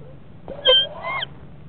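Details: Florida barred owls inside a nest box shortly before hatching, around a moth drop-off: two brief whiny, nasal calls, the second rising then breaking upward, over a low steady hum.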